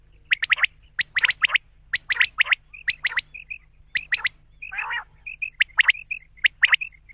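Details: Male common quail delivering rapid triple-noted calls in steady succession, interrupted once by a harsher grating note, with soft single peeps between phrases and a quiet hum beneath.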